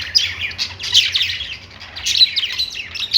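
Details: Perched budgerigars chirping happily, rapid high twittering warble with short sharp squeaks scattered through, coming in rolling bursts about every second over a faint low hum.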